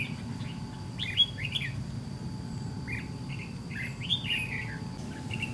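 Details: White-cheeked red-whiskered bulbul at a decoy fighting trap, delivering lively slurred phrases that rise and fall, some drawn out and rolling, in short bursts with brief pauses, over a constant low rumble.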